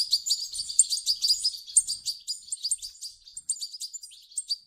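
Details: European goldfinch chicks begging, their calls used to prompt an adult goldfinch to sing: dense, rapid high chirps and twittering notes in quick irregular succession, about one burst per second, with no other sounds.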